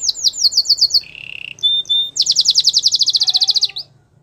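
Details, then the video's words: Belgian singing canary song with quick slurred high notes, a short buzzing roll, two pure whistles, then a long rapid chattering trill of repeated bright syllables ending in a fade. "The belgian singing canary"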